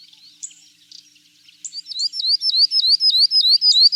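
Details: Northern grosbeak-canary starting with faint squeaky chatter, then launching into a loud, even series of quick falling-and-rising whistled notes repeated several times a second.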